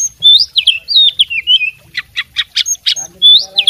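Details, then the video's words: Tutored fighting oriental magpie-robin delivering its fill-in song. Twisting whistled phrases are followed by a series of loud staccato harsh chips, then a bright rising whistle. "suara kacer petarung bongkar isian gacor full masteran"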